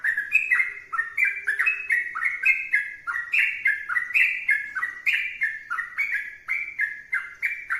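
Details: A sooty-headed bulbul sings vigorously and without a break, pouring out clear, gurgling whistled phrases that bounce up and down in pitch at a brisk pace.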